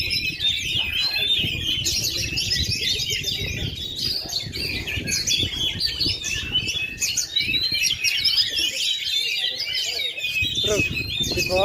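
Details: Oriental magpie-robin (kacer) at a songbird contest ring, a bird that has failed to molt for 2.5 years yet still sings at full power: dense, fast stream of varied whistled and chattering phrases with steady background murmur throughout.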